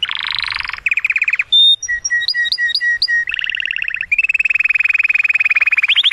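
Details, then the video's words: Canary singing excitedly to stimulate the female for mating, mixing a harsh buzzy opening, sharp chip notes, rolling low trills and a long fast steady trill. "كناري يغرد بصوت هائج لتحفيز الانثي لتزاوج"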